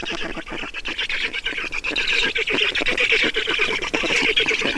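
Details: During a feeding at a black stork nest in Estonia on 5 June 2019, 16:28, a steady wheezing, scratchy squawking runs on without break, gradually growing louder, with faint clicks beneath.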